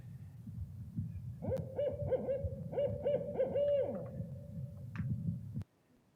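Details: A Barred Owl, whose loud calls carry through the forest at night, gives a rhythmic series of about eight low, hollow hoots with a drawn-out, falling ending, the "who cooks for you" phrase; faint low background rumble.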